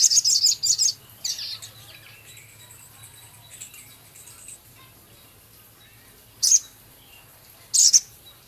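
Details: Male Javan cochoa singing, with ticking and rough chattering among scarlet minivet imitations: a dense burst of high scratchy notes, softer thin twitters, then two separated sharp high chips over a faint hum.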